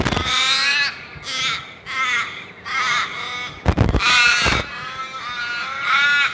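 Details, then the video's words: Crows from a loud flock giving distinct harsh caws, each about half a second long, repeated in quick succession with short pauses, plus a sharp noisy burst near four seconds. "Crow call / Crow Sounds / Crowsound / Flock of Crows Sound Loud"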